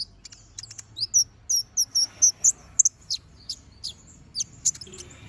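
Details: Energetic chattering song of a brown-throated sunbird with sharp 'shot' notes, for training other birds: a run of short, high slurred whistles repeated about three times a second, mixed with thin chips, over low background noise.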